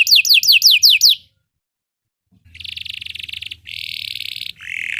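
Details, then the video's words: Belgian canary song used for canary training: a short burst of rapid falling whistled notes, a pause of silence, then long buzzy rattling trills, the last dropping lower in pitch. "Belgian canary singing makes your canary sing"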